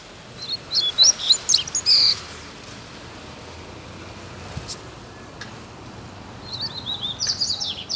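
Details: Free-flying double-collared seedeater in a neighbourhood delivers a rapid, sharp twittering phrase, goes quiet for several seconds, then starts another high, chattering run; faint distant noise underneath.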